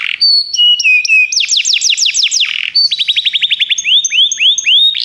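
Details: Canaries singing for song training: stepped whistled notes lead into fast looping sweeps, then a long rolling trill of repeated upward-hooked notes, all high-pitched and loud.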